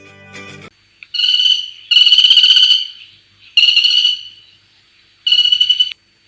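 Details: Crimson-backed flameback (Chrysocolaptes stricklandi), a woodpecker endemic to Sri Lanka, gives four harsh, fast rattling trills, each under a second, with brief pauses between; a short burst of other sound opens the recording.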